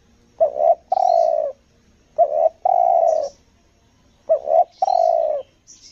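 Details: Spotted dove lure call in the 'selang nguku gagap' style from Lombok: low hollow coos, a short stuttered double note followed by a longer drawn-out coo, repeated three times about every two seconds, with faint high chirps.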